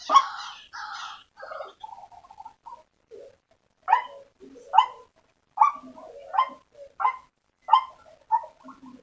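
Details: White-breasted waterhen call played as a lure: a few drawn-out rasping notes and soft low grunts, then a string of sharp barking croaks about every three quarters of a second.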